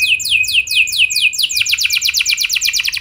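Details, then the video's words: Canary song intended to trigger other canaries to sing: a run of descending whistled sweeps repeated about four per second, then a faster, denser rolling trill. "Pancingan Ampuh Bikin Kenari Lain Bakal Ikut Gacor Do0r Dengan Pancingan Ini! Langsung Nyaut Ngeroll"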